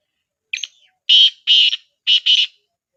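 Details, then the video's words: Black francolin giving its call, meant to get other partridges to answer: a short clipped opening note followed by harsh grating notes, two long ones, then a quick double, loud and clean with no background. "کالے تیتر کو بلانے کا بہترین طریقہ:The best way to call black partridge"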